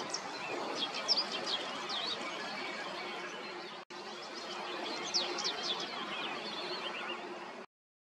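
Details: Barn swallow (Hirundo rustica) giving quick, high twittering chirps, several a second with sharp upslurred notes, over a steady background hiss.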